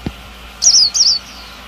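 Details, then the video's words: Oriental white-eye female calling to trigger male song: a pair of high, thin, buzzy notes sliding downward, one after the other, over a light background hum. "Chúa khuyên mái - khuyên mái kích trống siêu líu"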